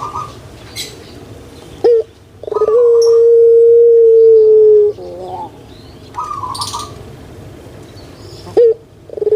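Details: Caged puter pelung dove, a pet bird famed in Java, Indonesia: short rough notes, then one long steady droning coo of about two seconds that drops slightly at its end, followed by a warbling phrase.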